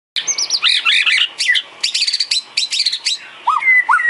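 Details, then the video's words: White-rumped shama (murai batu) singing isian, filler song used to train cage birds: a rich, fast medley of whistled slurs, chirps and buzzy notes in quick bursts separated by short pauses, ending with two lower rising whistles. "Isian kicau burung murai batu"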